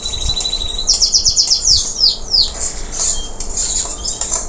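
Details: Local canary after moulting, still singing energetically: high buzzy trill, then a quick series of rapid downward-sweeping whistles and a few short chirps, with light background noise.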